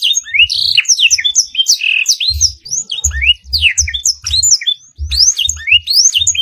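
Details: Canary training song filled with blackthroat phrases, a busy tumble of high whistled notes, downslurs and sharp chirps with brief pauses near 2.6 and 5 seconds. Low dull bumps run beneath.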